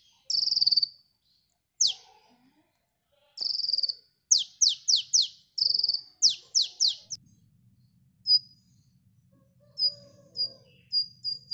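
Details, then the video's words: Sunbird song used to lure birds: sharp, very high chirps and short dropping slurs, some in quick runs of three or four, then thin repeated peeps with gaps; faint low hum underneath. "Suara burung KOLIBRI gacor ampuh pikat bunyi"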